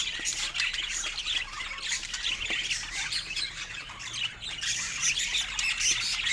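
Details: Many pet budgerigars, described as happy, chirping and squawking in a continuous high, raspy chorus of overlapping short notes.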